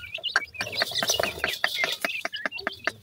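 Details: Grey francolin chicks calling to their mother while feeding; dense bursts of short, high squeaky peeps and chirps mixed with sharp clicking sounds, several overlapping.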